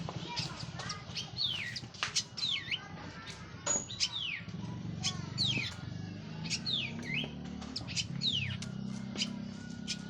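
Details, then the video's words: Orange-headed thrush, local Cililin strain, finished moulting, sings a full open song of bright whistles sweeping downward, repeated every second or two among quick ticks and chirps. A faint low hum sits in the background. "KICAU ANIS MERAH PLONG + TELER LOKAL CILILIN BERES MABUNG"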